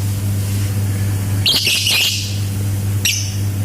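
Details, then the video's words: Lovebird giving a ngetik and ngekek chatter: two short harsh, buzzy bursts about a second and a half apart, over a steady low electrical hum. "BURUNG 🐦LOVBIRD SUARA NGETIK TAMBAH NGEKEK"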